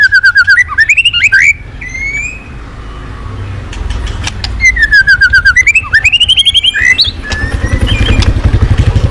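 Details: Shama song played as a lure to start other birds singing: fast repeated whistled notes sliding upward into looping phrases, a quiet gap, then similar phrases again, with a low rumbling hum growing toward the end.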